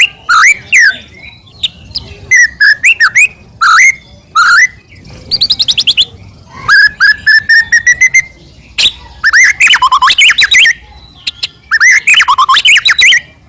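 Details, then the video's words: Varied white-rumped shama song used to provoke rivals into singing: bursts of whistled, warbling phrases and quick trills separated by short pauses, with sharp clicks between strophes. "murai batu gacor AMPUH buat PANCINGAN murai batu agar bunyi"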